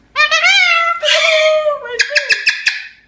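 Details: A male Moluccan cockatoo, a pet, sings his "good bird" song, sing-songing mimicked words in a loud, nasal, wavering voice, then ends with five or six quick, clipped syllables.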